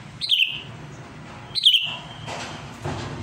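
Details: Sooty-headed bulbul singing eagerly and calling out to a rival. Two short bubbly whistled phrases about 1.4 seconds apart, each dropping in pitch and trailing off, followed by a couple of dull noise bursts.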